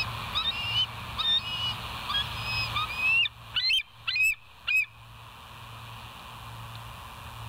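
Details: Bald eagle at a West End nest, live cam recording from 07/04/2023, 06:17; faint distant squeaky notes first, then four loud shrill piping calls in a rapid series over a constant low hum.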